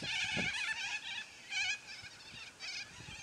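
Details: Noisy yellow-crested cockatoos in a flock give loud squawks: three or four separate raspy, shrill bursts, with short quieter gaps between them.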